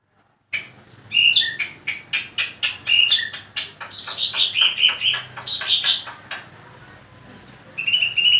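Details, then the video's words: Caged greater green leafbird kept as an ornamental bird, described as very lively and in full song: a fast run of sharp repeated chirps and whistled notes, sweeping high then settling into warbled phrases, briefly pausing before resuming. "burung cucak ijo paling gacor"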